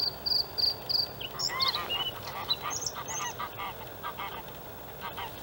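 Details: A male White-spotted Bluethroat (Luscinia svecica cyanecula) sings from a reedbed at a harbour landfill in Halmstad, Sweden, on 6 May 2017, opening with several high ringing repeated notes, then a fast varied jumble of twangs, chirps and buzzy phrases, over soft hiss.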